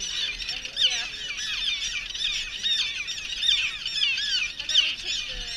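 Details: A nesting common tern colony on Great Gull Island, heard during adult trapping for pairing at nests with young chicks. Many birds give harsh, grating kee-arr calls that overlap without pause, some rising and some slurring down, in a constant high clamor.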